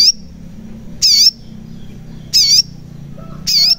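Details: {'caption': 'Sogon, the crimson sunbird, recorded as a lure to make reluctant birds sing: four loud, piercing high chirps with a wavering twist, repeated roughly every 1.2 seconds over quiet background.'}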